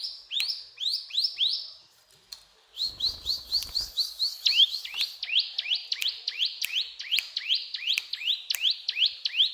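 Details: Brown prinia singing busily in cetrakan style. Spaced upsweeping chirps, a brief gap with a low rumble, then a long faster run of rising notes that grows louder and denser.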